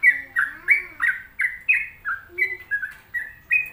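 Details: Gacor singing from a sooty-headed bulbul: a string of clean, mid-pitched whistles, each slightly downslurred, about three per second, accompanied by a soft, low, drawn-out tone at times.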